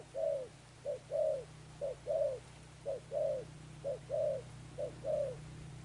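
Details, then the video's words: Repeated spotted dove cooing, "gù âm sấm thổ" style. Clipped hoots alternate with longer arched coos about once a second, accompanied by a constant low humming background. "Thúc Đồng Pha Sấm, Gù Âm Sấm Thổ, Bổi tướng bồ câu"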